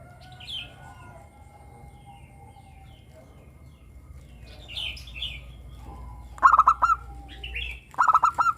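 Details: Local zebra dove with a 'crystal' voice, used as a lure for captive doves to sing: soft chirps and twitters from other birds at first, then two phrases of rapid pulsed cooing near the end.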